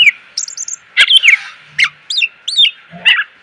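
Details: Greater green leafbird tutor song for cage birds, rich in varied phrases: short bursts of high tinkling notes mixed with downslurred whistles, delivered in quick separate groups.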